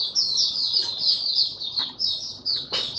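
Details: Male white-eye in opening song, stabilizing his form: rapid, high, thin chattering warble in continuous twittering phrases, with a couple of sharp clicks near the end.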